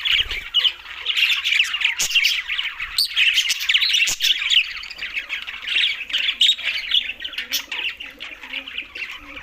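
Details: Several green budgerigars at mealtime chatter together in a dense, continuous mix of scratchy warbles, squawks and rapid chirps, with sharp clicks scattered throughout.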